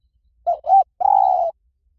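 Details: Spotted dove, lui tan song type, for training birds to coo back: a short hoot, a rising-falling second note, and a sustained flat coo, phrase under two seconds, quiet surroundings.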